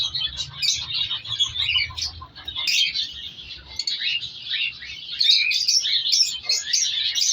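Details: Many cockatiels in a breeding colony with chicks chatter at once, a dense wash of high chirps and rasping squawks.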